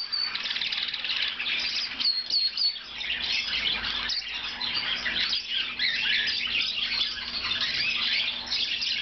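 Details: A blue Lizard canary sings a busy stream of chattering and warbling phrases, including a short series of clipped repeated notes near the start.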